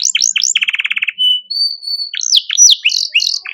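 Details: Domestic canary in a master song for teaching other songbirds: rapid downswept chirps, a descending stuttering trill, a long steady high whistle, then loud sweeping whistled phrases and a buzzy trill.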